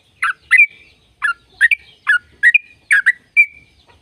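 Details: Sooty-headed bulbul, a lure recording to get caged birds singing. Short bubbly, gurgling phrases of two or three notes, each ending in a brief level whistle, repeated about every half second against a quiet background.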